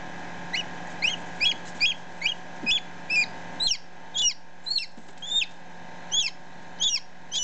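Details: Newly hatched chick, ten minutes old, recorded close up with a one-day-old chick nearby: high, sharp peeps that rise and fall, repeated about twice a second, over a steady low hum.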